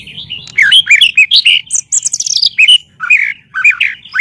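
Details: White-rumped shama master song to train birds: a dense, unbroken jumble of varied whistles, chirps and trills.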